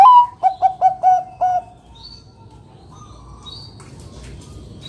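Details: Bangkok-type zebra dove, a loud singer used to lure other doves into singing, gives a 'kung besar' phrase: a rising cooed opening and four short clipped coos, the last drawn out. Faint high bird chirps follow over a quiet background.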